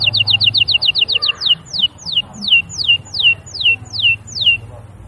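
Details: Canary singing: a fast run of short repeated notes, then slower, downward-sweeping whistled notes about three per second, all high-pitched and clear over a faint low hum.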